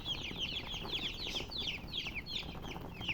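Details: Short burst of chick chirping: shrill, downslurred peeps repeated quickly and unevenly, several chicks calling at once.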